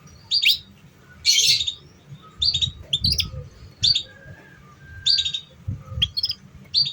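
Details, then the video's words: Canary song for luring young, untrained canaries: clear, high chirps and rattled bursts repeated roughly every second, with softer mid-pitched whistles between them over a low hum. "Pancingan Suara Kenari Paud"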